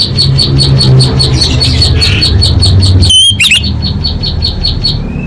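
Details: Orange-headed thrush used as a lure to make caged birds sing: a fast, steady series of short high notes repeated many times, broken by a brief twisting whistle near the end.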